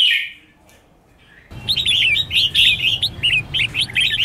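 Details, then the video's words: Competitive singing by a trained red-whiskered bulbul. One warbled note is followed by near silence, then a sudden burst of rapid, lively whistled notes strung densely together with barely any gaps. "Chào Mào Kích Bổi Lên Lửa!.. Luyện Chào Mào Hót Đấu Căng"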